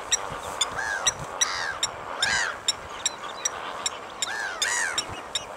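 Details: Blacksmith lapwing giving repeated sharp, tinny ticks, with swelling bursts of arched, downslurred calls in between, over continuous hiss.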